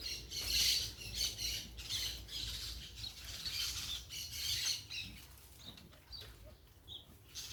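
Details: Noisy parakeets in a natural setting: a run of high, scratchy squawks and chatter during the first half, fading to scattered faint calls over a low rumble and hiss.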